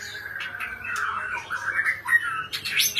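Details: Oriental magpie-robin (kacer) delivering a continuous run of mid-pitched warbled and slurred notes, ending in a few higher, sharper whistles. A soft background hum runs underneath.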